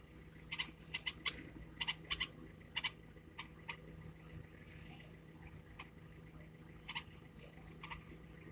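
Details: Red-vented bulbul hatchlings in a domestic setting give begging calls: short, harsh, scratchy chirps in uneven bursts, about one a second, over a steady low hum.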